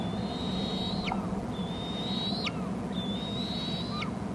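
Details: Bald eagle nest cam, Hornby Island, adult delivering food to the young: three clear, sustained high whistles spaced about 1.5 seconds apart, each finishing with a steep falling note and a faint lower echo, over low-pitched background hum.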